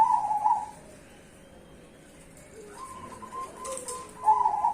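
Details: Zebra dove song, a duet between perkutut cemani and Bangkok varieties: a burbling, trilled coo opens, silence follows, then further cooing phrases close, with faint background hiss.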